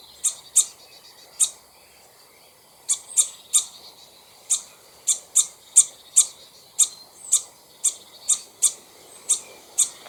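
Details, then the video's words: Common starling (Sturnus vulgaris) at the top of a nest tree, one of two, giving sharp, harsh high-pitched alarm notes, about sixteen in ten seconds at an uneven pace; shortly before a raptor attacked it. "Cri d'alarme d'un Étourneau face au rapace"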